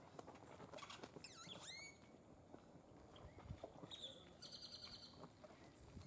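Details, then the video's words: Crimson-collared Grosbeak (Rhodothraupis celaeno), possibly a first-year bird, calling at Laguna Atascosa National Wildlife Refuge, Los Fresnos, Texas, 31 January 2016: a quick burst of sharp, downslurred whistled notes, then a thin, high, stuttering series; faint chatter and rustling. "Crimson-collared Grosbeak calling"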